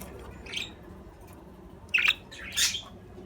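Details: Budgerigar sounds: a faint chirp, a quiet pause, then two loud grating squawks close together near the end.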